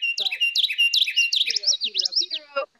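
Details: Common Yellowthroat song: a string of bright, rolling 'witchety' phrases, about two per second, high and clear, slower in cadence than a Carolina Wren's, with a faint voice murmuring underneath toward the end.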